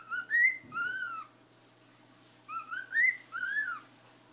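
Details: A white pet cockatiel whistles in two bursts of clear, rising and falling notes with a brief pause between.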